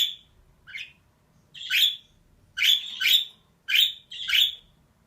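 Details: Female budgerigar giving harsh, raspy chirps: a faint short note, then four loud buzzy calls, some in close pairs, over a quiet background.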